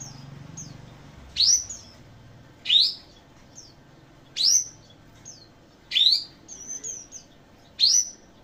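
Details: Kapas tembak bird song of bright, upslurred whistled bursts repeated roughly every one to two seconds, with softer high chips between phrases and a faint low hum behind.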